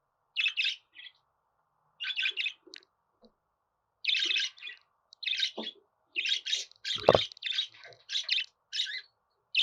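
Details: Budgerigar warbling chatter meant to make a pet budgerigar sing; scratchy, buzzy chirps come in irregular runs that grow denser toward the end, including one sharp, loud click.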